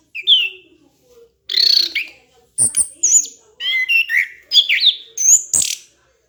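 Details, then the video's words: Orange-headed thrush in full vigorous song, used to train other songbirds: a sequence of varied whistles, rasping notes and rising slurs, separated by short silences. "MASTERAN SUARA BURUNG ANIS KEMBANG GACOR"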